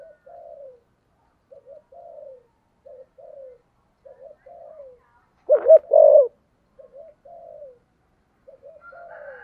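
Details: Spotted dove, a kept decoy bird in the 'giọng thổ' style, giving soft, low, slurred coos repeated steadily throughout, broken near the middle by a single loud, throaty burst of cooing.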